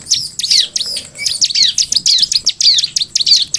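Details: Rapid, almost continuous high chirping from a bar-winged prinia: sharp down-slurred notes strung tightly together for the whole stretch, over a soft low rumble.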